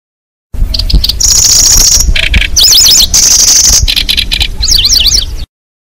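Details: Lure sound of a Lanceolated Warbler for catching birds. Sustained high thin reeling trills alternate with buzzy mid-pitched bursts and rapid zigzagging whistled phrases, layered and busy, with low rumble underneath.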